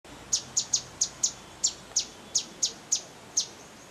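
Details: Grey-headed canary-flycatcher calling in a hotel garden in Manali, Himachal Pradesh, India: about eleven sharp, very high chipping notes at uneven intervals, each a quick clipped tick, over a quiet background.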